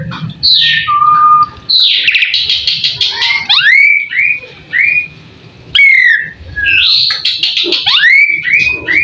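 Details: Asian pied starling (jalak suren) in full masteran song, with long whistled notes, upward-sweeping slurs and buzzy harmonic bursts in a varied sequence, broken by brief pauses.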